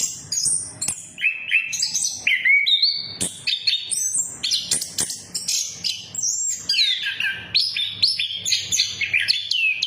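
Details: Orange-headed thrush singing in a lure meant to restart silent birds, in a 'gacor ngeplong' style: a continuous stream of varied whistles, slurred notes and sharp upswept chirps with hardly any breaks.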